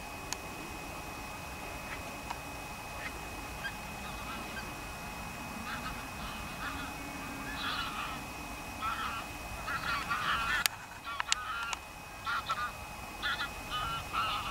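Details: Geese landing on their bellies, outdoors with steady rushing background noise; after a quiet stretch, repeated short nasal honks come in uneven bursts during the second half, with a loud knock partway through.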